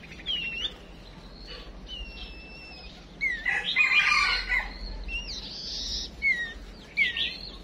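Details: Female chim chuyền songbird giving decoy calls intended to make males sing: long high thin whistles, sharp slurred notes and a loud burst of buzzy twittering midway.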